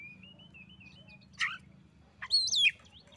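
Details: Oriental magpie-robin calling a rival that had been reluctant to sing, which then answers; a thin wavering whistle runs under two short loud bursts of sweeping whistled notes.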